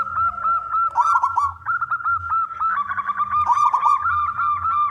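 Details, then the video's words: Local male zebra dove, a contest-type bird singing loudly to entice other doves to sing; rapid repeated rolling coos, over three per second, with rich overtones and soft low pulses in the background. "perkutut lokal gacor suara jantan"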